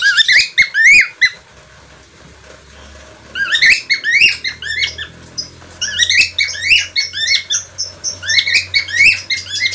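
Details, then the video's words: Budgerigar, locally parkit australia or falk, giving a burst of twittering upslurred chirps, a two-second silence, then long continuous warbling chatter of rapid rising notes. "parkit australia atau falk"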